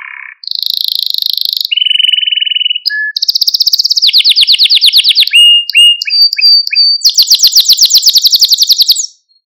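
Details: A canary sings a long varied sequence for training young birds: trills at several pitches, some very high, interspersed with sharp chips and short whistles, finishing with a rapid high trill.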